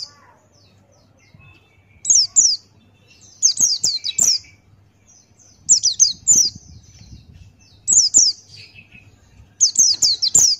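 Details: Vigorous Buxtoni white-eye sounding off: groups of two to four sharp, very high falling chirps returning roughly every two seconds, with faint twitter filling the gaps.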